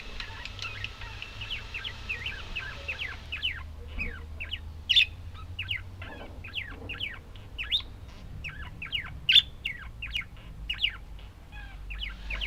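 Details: Budgies in a steady run of quick rising chirps, about two per second, with brief louder sharp squeaks over a low hum.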